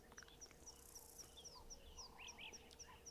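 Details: European bee-eaters calling all around a dam water hole on 22 March 2023 give soft, rolling, burry calls among a chorus of thin, high notes repeated about four times a second, over a steady low hum.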